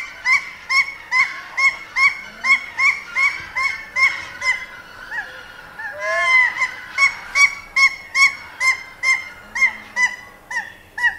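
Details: A single Hawaiian goose, close, gives a steady run of soft, nasal honks, roughly two or three each second, with a brief jumble of overlapping calls midway and distant collection sounds.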